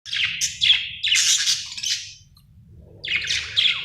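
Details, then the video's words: Happy budgerigar chirping: bursts of bright, warbling high chirps and twitters in quick irregular runs, a short pause, then another chattering phrase, over a faint low hum. "Happy budgie chirping sound"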